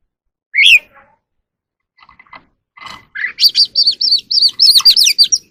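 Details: In the evening a wild oriental magpie-robin sings while dancing. One loud upslurred whistle and soft scratchy notes lead into a fast, even series of bright, wavering whistles near the end.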